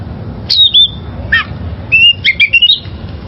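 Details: Wild-caught oriental magpie-robin song used for training caged birds: a long high whistle gliding downward, a brief rougher note, then a quick series of bright rising and falling whistles; faint low hum behind.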